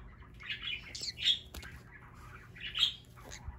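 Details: Pet green-cheeked conure in a home in Aichi, Japan, screaming while playing: harsh, scratchy squawks in short bursts, two louder shrieks near the middle and end, amid soft chatter and a sharp click.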